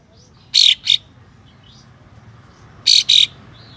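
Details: White-shouldered triller, tail fanned, firing rough besetan bursts used to provoke other trillers: two paired, rasping, hissing shots about 2.3 seconds apart, each a quick double blast, with soft faint twitters in between.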